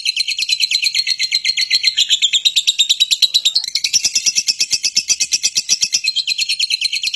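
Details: Fighting-type lovebird giving a call meant to provoke other lovebirds into responding and chattering more. Dense, high, buzzy chattering with rapid pulses, about three per second, shifting in pitch midway and running continuously throughout.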